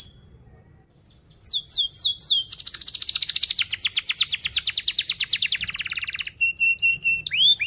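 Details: Lure song of a canary for teaching young canaries: swooping notes leading into a long, rapid, dense rolling trill of chirps, then spaced whistles and a closing slur.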